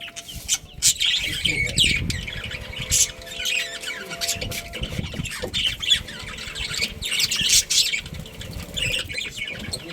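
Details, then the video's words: Pet budgerigar colony chattering with scratchy high chirps and squawky warbles, over low rumbling background noise and a faint steady tone. "Cute Budgies Chirping Sounds"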